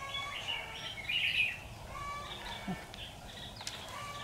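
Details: Fighting song of a red-whiskered bulbul ('Mí lửa') at a trapping site, 13 October 2019: a few quick warbled, slurred notes sound early on, followed by softer scattered chirps and light rustling against a hissy outdoor background.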